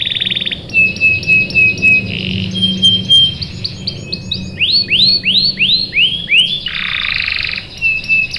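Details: Canary lure song with rolling phrases: buzzy bursts, thin high steady trills, then a run of loud arched whistled notes and another harsh buzzy passage, over a low hum.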